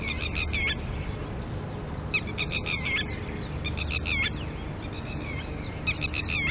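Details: Agitated red-wattled lapwing pair, tending chicks in the early morning and upset by a nearby person, repeatedly utter fast series of piercing, clipped alarm notes in bursts roughly every second or two, over a low hum.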